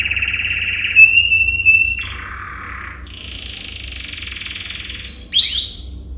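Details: A yellow canary sings a training song: a run of fast rolling trills, a high steady buzz, then a lower churring roll and a quick rising flourish, over a faint low hum.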